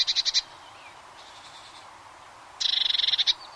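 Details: Eurasian blue tit song: a short burst of high, rapid repeated notes, a quiet pause with soft distant calls, then a longer ringing trill of about fifteen quick, evenly spaced notes.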